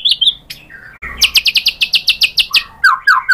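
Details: White-rumped shama provoked into answering with its full repertoire: brief whistled notes, then a rapid series of about fourteen sharp, evenly spaced high chips, ending in descending slurred whistles; faint low rumble in the background.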